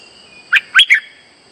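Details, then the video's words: A brief three-note phrase from a streak-eared bulbul, used as a lure for trapping birds; the notes are warbled and slurred, rising and falling, against a faint steady high tone. "Suara pikat merbah lekir gacor"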